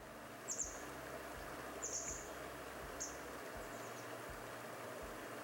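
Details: Grey wagtail, a bird of clear rivers and streams, gives its metallic, piercing call: four sharp, very high double notes about a second apart, over a steady low rumble of running water or distant traffic.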